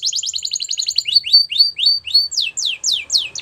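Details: Canary singing for training young canaries: a fast double-noted trill leading into evenly spaced falling slurs, then louder sweeping downward notes, all high-pitched and clean.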